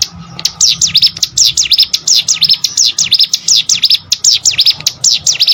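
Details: Prinia (cigun or prenjak gunung) singing, recorded for competition-bird training: steady rapid train of bright high whistles, each a sharp downward-then-upward sweep, almost three per second.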